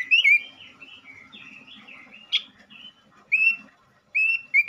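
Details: Vigorously singing male robin, kept as a lure to provoke other robins: an opening burst of quick whistled notes, a softer warbled passage with one sharp chip, then two loud whistled phrases separated by short pauses.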